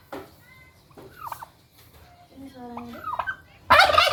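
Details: {'caption': 'A lone kept turkey, described as very aggressive and wanting a mate, gives short tonal harmonic calls and bent, rising-then-falling yelps over a low hum, ending in a sudden loud, harsh rattling burst.'}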